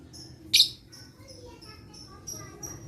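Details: Lovebird calling, used as a lure to stimulate other lovebirds: one loud harsh screech followed by a string of thin, high, short whistled notes repeated at uneven intervals.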